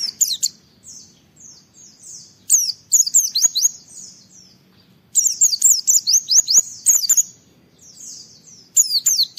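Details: An Oriental white-eye sings energetically to provoke other white-eyes to answer, delivering high, rapid twittering runs of sweeping chirps in clustered bursts, with short pauses between phrases and a faint low background murmur.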